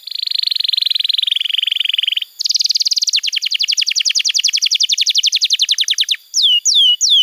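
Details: Canary song used as training material to coax young canaries into singing: a long, fast buzzy trill, then a higher rolling trill of rapid repeated notes, ending in a few separate, sharply falling whistled notes.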